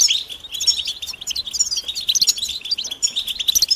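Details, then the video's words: European goldfinch mating and readiness calls, meant to stir silent males into singing, a dense unbroken stream of high tinkling twitters and chirps. "بتبتة الحسون علاج سكوت الحسون نذاءات التزاوج والتجهيز"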